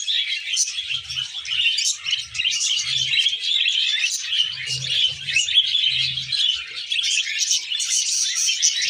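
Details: Happy tame pet budgerigar sounds: a steady, dense warbling chatter of fast chirps and scratchy twitters, unbroken for the full nine seconds, with faint low thumps beneath.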